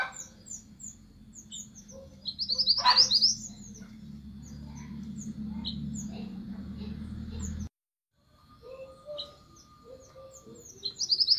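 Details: Orange minivet calling to its flock: thin, high chirps and short sweeping notes scattered through the clip, with a louder burst of sharp notes near three seconds, over a steady low hum and a brief drop to silence.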